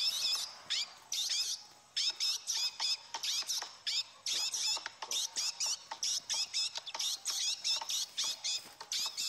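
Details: Male chestnut-bellied seed finches in a singing duel that ended quickly: dense bursts of high, rapid, buzzy chirps repeated almost without pause, with short gaps between phrases, in a continuous, insistent stream.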